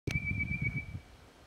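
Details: Male Chestnut quail-thrush (Cinclosoma castanotum) in full voice in Hattah-Kulkyne National Park on 13 September 2022 gives a single thin, high, steady whistle about a second long over a low rumble of wind.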